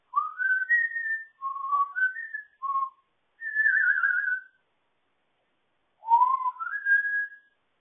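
An African grey parrot whistles a melodic tune in clear, flute-like phrases that rise and fall in mid pitch, broken by brief pauses, with no other sounds.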